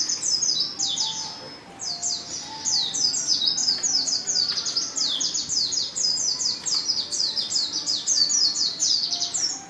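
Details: Female white-eye in heat calling a male: dense, nearly continuous stream of high, thin downward-sweeping chirps, several notes overlapping, running throughout with only a brief dip early on.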